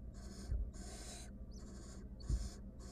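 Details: Wild barn owl hen in a nest box, attacking her mate or an intruder, lets out long raspy hisses, four drawn-out breathy bursts, alongside occasional low bumps.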